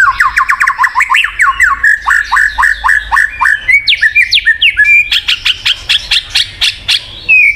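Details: White-rumped shama singing, used as a prompt to get a non-singing bird going: a rapid rattling run of downslurred whistled notes, then higher swept notes and a fast series of bright ticking chips.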